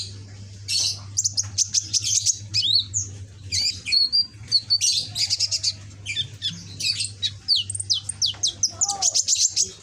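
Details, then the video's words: Young red-backed green sunbird in captivity, showing a bold fighting spirit while learning its song: repeated dense bursts of high scratchy twittering and sharp ticks, with a low hum in the first half. "Burung Kolibri ninja punggung merah ijoan gacor"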